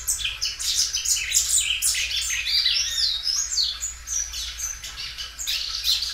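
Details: Belgian canary, a well-kept caged singer that sings loudly and stretches its song many times, delivering a rapid high-pitched warbling run of trills, chirps and rising and falling notes with a steady low hum beneath.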